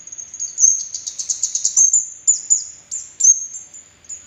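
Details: Red-headed kemade bird lure song for prompting silent kemade and training young birds. High, rapid twittering builds into a dense chattering burst, then thins into spaced high chirps and thin slurred whistles.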